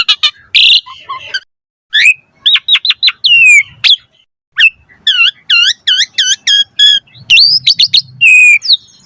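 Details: Asian pied starling singing a varied, full song, used to prompt other starlings to sing: loud whistled notes, rapid repeated rising chirps in runs of four to six, buzzy harsh bursts and sliding whistles with short pauses between phrases.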